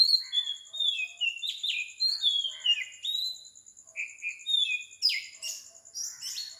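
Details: Oriental magpie-robin singing at 4 am in Sri Lanka: rich, varied whistled phrases, some sliding downward, others short and flute-like, sung in quick succession, while a steady high pulsing insect trill runs throughout.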